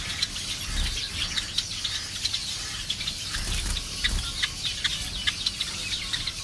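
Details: Java sparrows giving a steady stream of short, sharp high chips and ticks, many overlapping notes packed across six seconds, over a soft low rumble in the background.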